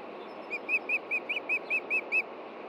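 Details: June evening at an osprey nest with chicks in Montana, the male hunting for his missing fish: nine clear, high, down-curved chirps given at an even quick pace over faint background rumble.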